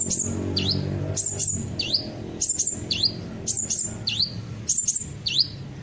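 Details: Sunbird (kolibri ninja) song played as a lure so birds join in: paired notes, a sharp high chirp then a dipping V-shaped whistle, repeated about once a second, with low background hum.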